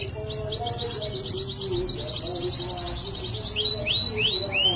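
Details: Caged canary in full song: a long, rapid rolling trill of high repeated notes, followed by a few loud rising whistled slurs, over a steady low background hum.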